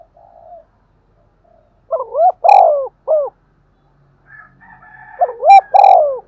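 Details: Spotted dove in the 'thúc gù' coo style, used to excite lured doves: two phrases of low hooting notes, each a quick double rise, a long loud coo and a short end note, with a faint, higher twittering between them.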